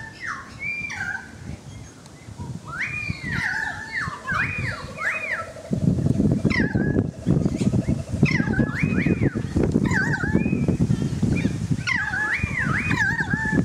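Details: Currawongs singing near a balcony: rich, looping whistled notes that rise and fall in arches, given in bursts through the clip. A low, steady rumble joins in from about halfway.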